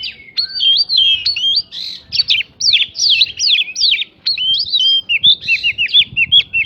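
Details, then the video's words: White-rumped shama, kept as a songbird, singing a varied prinjak-filled song used to provoke other birds into responding; rapid whistled and chattering phrases between 2 and 6k, tightly packed with brief gaps, with faint low background hum. "PANCINGAN KACER BIKIN EMOSI ISIAN PRINJAK BIKIN BURUNG LAIN CEPAT RESPON GACOR"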